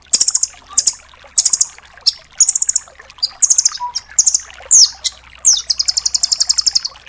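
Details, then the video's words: Rambatan doraemon nuthatch singing dense full tembakan bursts used to tutor songbirds: short, piercing high trills in quick succession, one downward-sweeping note near the middle, ending in a long run of a dozen evenly spaced notes. "MASTERAN BURUNG RAMBATAN DORAEMON FULL TEMBAKAN"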